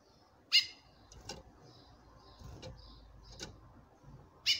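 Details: Calling female chestnut-bellied seed finch courting a male: two loud, clipped call notes rich in harmonics, at the start and the end, with soft short whistles and faint clicks in between.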